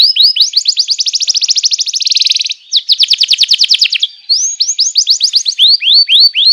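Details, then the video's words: Canary master song for training young canaries: long rapid trills of rising notes, one speeding into a dense rattle, a short pause, another fast trill, then slower repeated upslurred chirps. "PANCINGAN JITU BURUNG KENARI#014,masteran burung kenari paud"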